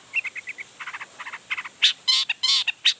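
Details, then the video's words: Long-tailed shrike in emotional, full song aimed at making other shrikes answer. A fast series of short chirps leads into loud, harsh, drawn-out rasping screeches. "Toetan Cendet Gacor Full Emosi Bongkar Materi Bikin Cendet Lain Langsung Panas Nyaut Ikutan Bunyi"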